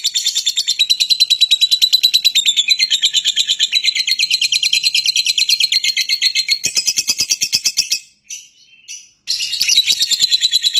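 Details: Lovebird giving a continuous shrill, buzzy chatter of rapid pulsed notes, steady for about eight seconds, broken by a brief clattering pause before the high chatter resumes.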